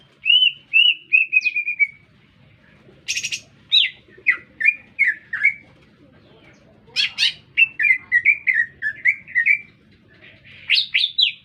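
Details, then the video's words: Green leafbird, singing steadily in town, gives drawn-out falling whistles, a harsh rasping burst, a series of bouncing warbled notes, then sharp chips and upward-swept whistles, over a soft low rumble. "Cicak Ijo Gacor Bikin Meledak Suasana"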